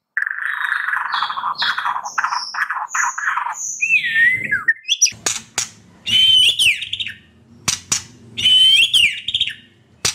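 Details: White-rumped shama, kept in a cage, singing to stimulate silent birds: a run of repeated buzzy notes, then rising whistles and loud scratchy bursts, with a low background hum.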